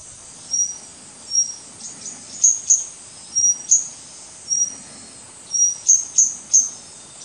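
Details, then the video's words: Doi Ang Khang, Thailand, 24 March 2017: a White-gorgeted Flycatcher (leucops) gives spaced thin high whistles every second or so, punctuated by short sharp ticks in small clusters. "White-gorgeted Flycatcher calling"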